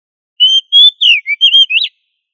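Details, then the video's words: Oriental magpie-robin giving a loud, lively song meant to train others of its kind: a quick run of six clear whistled notes, some steady, some sliding down or up, over about one and a half seconds. "Suara Burung kacer Gacor Ngobra untuk Melatih Kacer agar Plong Keras"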